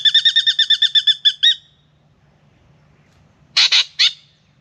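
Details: Spangled drongo at a backyard birdbath in Australia, singing in the morning while coming for a drink. A fast series of about a dozen ringing, twangy notes builds in loudness and is followed later by three grating, harsh bursts.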